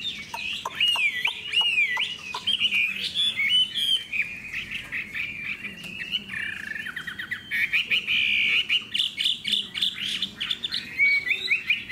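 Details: A tame, spirited caged Chinese hwamei with a fanned tail sings a loud, unbroken stream of rich, varied whistles, with rapid slurred phrases and quick repeated notes running high and bright throughout.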